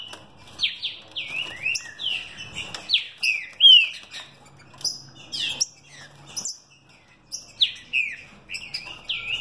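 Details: Caged mutation green-winged saltator from a breeder in São Paulo state, singing in the fibra and velocidade style: loud, rapid whistled phrases of sliding, down-slurred notes repeated in quick bursts with brief pauses between.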